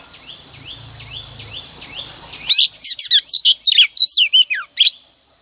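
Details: Oriental magpie-robin female song used to stimulate males in the morning: a series of five soft downslurred whistles over a faint hum, then an energetic phrase of loud varied chirps and looping whistles.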